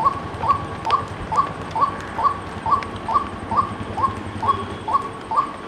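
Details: White-breasted waterhen giving a steady series of short, hollow, mid-pitched notes, each with a slight upward inflection, repeated a little over twice per second throughout, with quiet background hiss.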